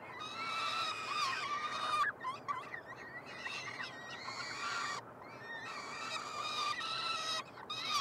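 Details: Hungry peregrine falcon triplets at their Quebec nestbox, University of Montreal, 21 June 2022, during a feeding: long harsh screams broken by quicker, chittering and wavering squeals from several chicks.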